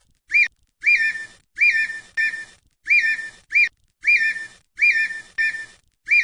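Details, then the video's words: Red-winged tinamou in Brazil repeating clear, loud whistles. Each short note rises and then wavers, coming in pairs and singles roughly every half to one second in an uneven series, with no other sounds. "perdiz ou perdigão : SOM PÁSSAROS BRASIL"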